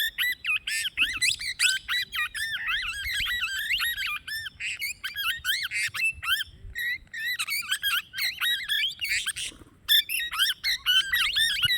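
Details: Long stream of excited, high-pitched plum-headed parakeet squeaks and arched chirps, dense and overlapping, with a short lull midway before the rapid calling resumes.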